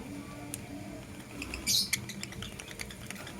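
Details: Lovebirds, a blue opaline and a green personata, in the morning. A few sharp high clicks, then one loud shrill chirp burst near the middle, followed by scattered ticking notes over a steady low hum.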